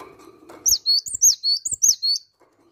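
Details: Cinereous tit delivering a quick run of bright, high, piercing double whistles, five or six phrases in about one and a half seconds, with a few soft clicks before the song.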